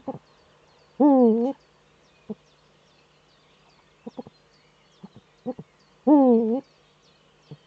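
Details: Male Eurasian eagle-owl courting in the nesting niche on 4 May 2013, heard through a nest webcam in northern Rhineland-Palatinate, Germany. Two loud, quavering half-second cries about five seconds apart, with scattered brief soft notes between them.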